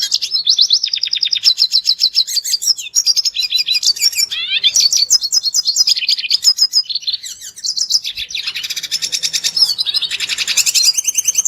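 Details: Red siskin singing, recorded as a lure to make other birds sing: long unbroken high-pitched warbling, rapid buzzy trills and twittering phrases that switch quickly, with sweeping slurred notes mixed in.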